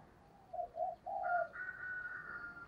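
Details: Spotted dove acting as a decoy on a tree, calling to lure wild doves. Three mellow coos, the last one longer, sound over steady background hiss, with a thin high whistle running alongside.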